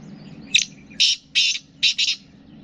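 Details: Black francolin, or kala teetar, of Sindh and Punjab: a harsh, scratchy call of five clipped notes, a short one, two longer rasping ones, then a fast double note, over about two seconds with low hum behind.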